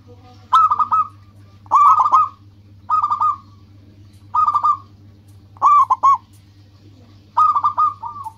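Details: Zebra dove of a local strain calling to attract rivals and companions; six short rolling coo phrases of rapid staccato notes, repeated roughly every one to two seconds, with a constant low background hum.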